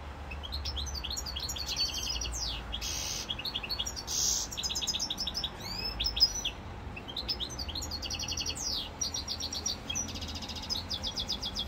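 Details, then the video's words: In Corsica on 7 November 2022, a European goldfinch sings a lively, rapid run of tinkling twitters, short trills and swooping notes, broken by brief pauses, with a low background rumble. "chant chardonneret"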